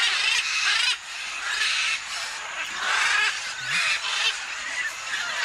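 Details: Scarlet and blue-and-gold macaws at a Tambopata clay lick. Overlapping grating squawks and screeches come from many birds at once. The racket dips briefly near the first second, then swells again in loud harsh bursts.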